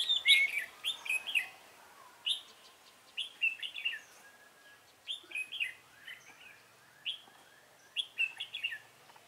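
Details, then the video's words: Red-whiskered bulbul singing during trapping with a decoy bird, recorded on 24 March 2018; short bursts of bright, warbled, whistled phrases come in clusters every second or so, with quiet pauses between. "Bẫy chào mào"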